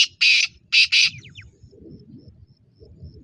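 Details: Black francolin recorded on 22 February 2025 uttering a harsh, scratchy series of short then paired grating notes. A low murmuring background follows.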